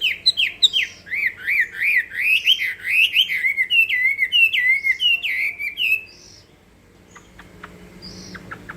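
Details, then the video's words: Hwamei fighting song (hót đấu): six seconds of rapid loud whistled notes in a rolling, slightly wavering series, followed by near silence with a few faint clicks. "Họa mi hót đấu hay"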